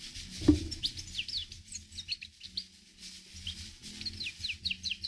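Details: Himalayan goldfinch giving a rapid run of thin, high, slurred twitters and tweets that continue through the recording, with a sharp knock at the start and a low murmur underneath.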